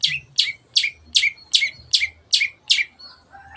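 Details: Long-tailed shrike in lively gacor form, used to prompt other birds to sing: a rapid run of about eight short, scratchy descending notes, nearly three per second, over a soft low rumble.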